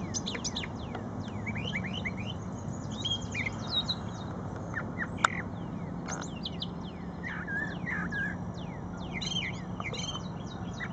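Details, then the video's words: Brown thrasher singing at Shred-It Pond: a continuous run of varied, sharp slurred notes, many falling or rising quickly, grouped into short phrases throughout, over a steady low background hum. "Brown Thrasher Singing"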